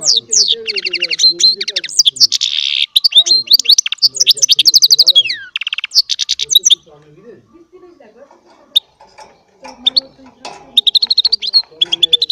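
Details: Goldfinch-type song from a small hybrid finch, a long run of liquid twitters, rattling trills and sliding whistled notes; quieter chatter and a few soft low sounds follow toward the end.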